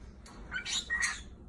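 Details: A pet cockatiel mimics the word "touchdown", picked up from football on TV, as two quick, raspy, squawky syllables.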